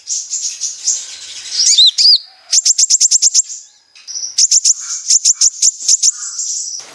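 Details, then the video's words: Lure song of a sunbird, meant to provoke singing, delivered in besetan style: high thin trills, a pair of looping whistled notes, then bursts of quick piercing chips over a held high tone. "Pancingan burung Kolibri ninja gacor | full besetan"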